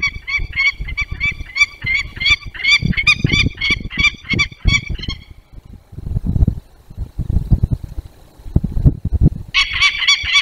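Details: Peregrine falcon in the Barycz Valley, Poland, 16 January 2023: a harsh, rapid cacking alarm, a fast run of grating notes for about five seconds, breaking off and starting again, over low rumbling wind.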